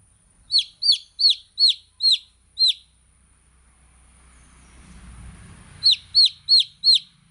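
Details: Young chicks chirping in a quick run of six sharp, falling peeps, then a low rumbling noise, then four more clear peeps in rapid succession.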